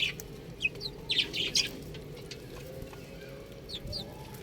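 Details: Young buff chicks peeping: scattered short high chirps, a busy burst in the first half then sparse calls, with constant low rumbling background noise.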